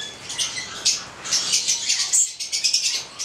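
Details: Red male and black female Stella's lorikeets of the goliathina subspecies calling as a pair: a quick series of short, very high squeaky chips and shrill screeches, loosely repeated several times a second.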